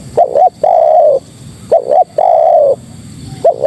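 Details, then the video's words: Female spotted dove calling males: two back-to-back phrases, each a pair of short rising coos and then a long, level coo that fades downward, with a soft low rumble between phrases. "Suara Terkukur Betina Memanggil Jantan"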